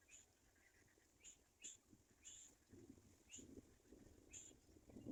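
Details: A black-winged kite chick, abandoned by its mother, gives thin, high, squeaky notes, short and irregular, about one per second, over low rumbling and handling noise.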